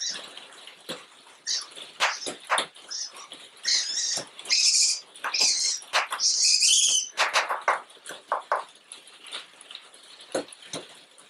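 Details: Female African eagle-owl defending a stuffed toy she sees as prey, giving loud breathy hisses and rasps in long bursts, broken up by rapid snapping clicks, with a person cooing a string of "ooh" sounds right after.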